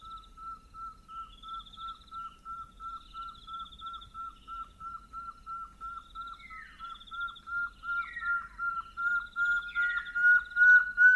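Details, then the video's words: A pair of pearl-spotted owlets duetting at night in the bush at Northern Tuli Game Reserve, Botswana: evenly repeated piping notes grow louder, then clear downslurred whistles join, with the female's higher, more distant phrases overlapping. "Pearl-spotted Owlet Call - The sounds of a pair of Pearl-Spotted Owlets duetting."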